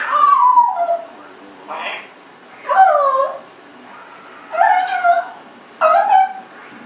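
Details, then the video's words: A 1.5-year-old Congo African grey parrot kept as a pet, voicing a series of speech-like, whiny phrases with gliding tones, about four bursts separated by short pauses. "Abaddon talking, burping, lots of vocalizing."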